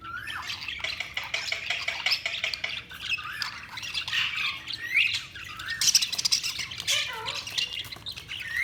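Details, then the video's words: Budgerigars chirping continuously: dense warbling chatter of short squawks, clicks and rising and falling whistled notes, several birds overlapping with no pauses. "Budgies Sounds| Budgies Chirping sound"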